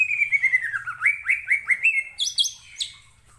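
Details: Greater green leafbird lure song to set other birds singing: a quick series of similar rising whistled notes, about five per second, ending in higher sharp chirps, with a low background hum.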